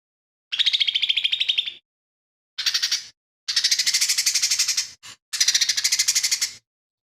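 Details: Lesser green leafbird in vigorous song, its repertoire said to be full of imitations of fighting sparrow, tengkek buto and cililin. Rapid buzzy rattling trills run about a second each, separated by short silences, with one brief chip between bursts.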